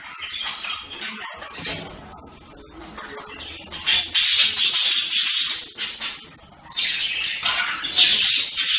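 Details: Budgerigars chattering softly at first, then breaking into loud, grating squawks that run in long bursts of over a second.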